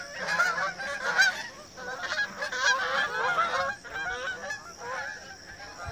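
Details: Canada geese migrating in formation over Rochester, New Hampshire: a flock gives overlapping nasal honks, rising and falling in ragged bursts, with a steady high hum behind.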